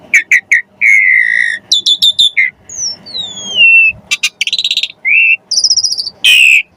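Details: Asian pied starling singing energetically, its song full of varied phrases and used to stir other birds into song: chips, a long steady whistle, a gliding falling whistle, buzzy trills and harsh notes.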